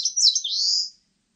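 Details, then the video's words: Eastern crowned warbler singing a brief high phrase: a few rapid slurred notes leading into an extended buzzy rising note, ending abruptly into silence. "산솔새, 1번 듣기, 곤충소리, 새소리"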